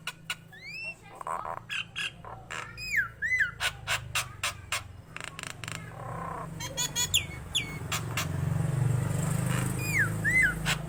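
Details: Nias hill myna singing actively, with sharp clicks, upward-curving whistled slurs and harsh squawk bursts over a steady low hum that grows louder toward the end.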